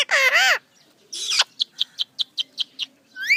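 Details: Parrot talking: two harmonic-rich, voice-like phrases, then a series of about eight short, evenly spaced high clicks or chips and a final rising squeaky note.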